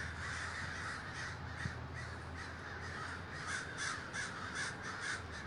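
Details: Many crows at a big communal gathering in Davis, California, cawing together as a constant raucous din, with some louder, sharper caws standing out near the end over a low background hum.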